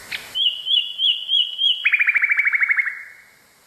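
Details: For training canaries and their hybrids, a nightingale gives a pulsing, wavering whistle, then breaks into a rapid descending trill of many even notes that trails away into quiet.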